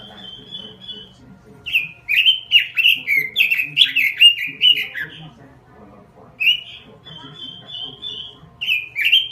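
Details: Robin singing in 'gacor' style, opening with a steady high whistle and then fast, dense warbled phrases. After a short quieter gap, more level whistles and warbles follow, over faint low background noise.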